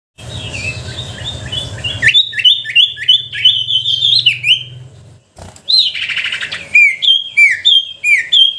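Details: Sooty-headed bulbul song used as a lure sound to provoke reluctant bulbuls into singing: runs of bright down-slurred whistled notes, a short pause near the middle, then louder overlapping chirps, over a low humming drone early on.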